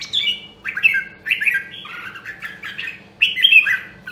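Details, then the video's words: Red-whiskered bulbul from Nam Dong, Hue, a rare voice line, in voice training: a quick run of clear, slurred whistled notes falling and rising, nearly continuous over four seconds with one short gap. "Luyện giọng Chào Mào Nam Đông Huế Hàng Hiếm Còn Sót Lại ! giọng cực chất"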